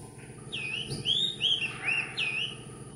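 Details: Philippine magpie-robin singing, possibly to claim territory, while gathering nest material and perching briefly before moving on; clear whistled phrases with sweeping, slurred notes in quick, irregular succession over a low steady background hum.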